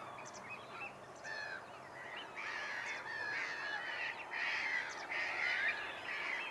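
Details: Whooper swans at Nosterfield on 28 February 2015, recorded with a Panasonic GX7: a chorus of overlapping nasal, bugling honks, several birds calling together in loose bursts roughly once or twice a second, growing louder toward the end.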